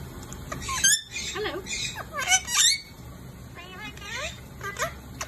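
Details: Indian ringneck parakeet around lunch time: clusters of shrill, wavering squeals and quick chattering notes, with short pauses between outbursts, against a constant low indoor hum.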